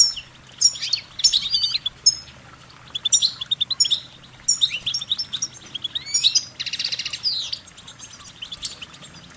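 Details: Goldfinch song of short warbling notes in lively twittering phrases separated by short gaps, including a brief buzzy, rasping burst midway, then quieter chirps and a faint steady low hum beneath.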